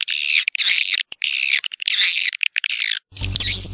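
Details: Swiftlet calls to lure young swiftlets into a new building: repeated harsh buzzy bursts about half a second long, separated by short gaps, ending over a low humming background.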